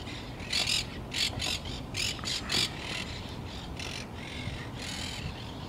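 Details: Monk parakeets at the Green-Wood Cemetery Arch on 1 February 2014 give harsh, grating squawks in quick bursts, about seven in the first three seconds, then fainter ones trailing off, over a low steady rumble.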